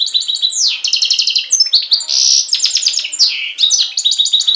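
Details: European goldfinch x canary hybrid recorded in Greece on Syros in July 2007, singing a rapid, varied twittering song of bright repeated trills, buzzy notes and sweeping slurs, high-pitched and continuous throughout.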